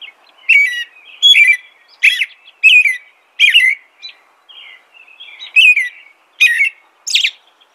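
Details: American robin singing a long sequence of clear, warbled whistled phrases, mostly falling in pitch, in loose groups separated by short pauses.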